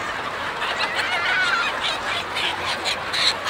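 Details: Many chickens on a chicken farm make a constant clucking hubbub, with a drawn-out, wavering squawk near the middle and quick chattering notes throughout.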